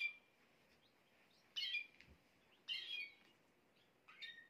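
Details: Domestic canary singing to bring a female into mating posture fast; a thin steady whistle opens, then three separate high, chattering bursts arrive roughly a second apart against faint background hiss.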